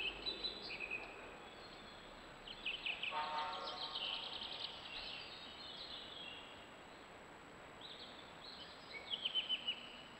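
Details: A male Yellowhammer gives thin, high, scratchy call notes in short bursts, with a buzzy rattling patch in the middle, over steady rural background noise; recorded 11 June 2021 in Poland.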